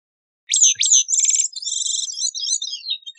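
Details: Bicknell's thrush singing: a high, run-together phrase of buzzy, fluty notes with rapid trilled sections, lasting about two and a half seconds, with no other sounds.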